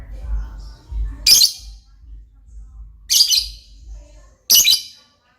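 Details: Lovebird squawking: three piercing, harsh shrieks roughly one and a half seconds apart, short and abrasive, with faint low room rumble between them.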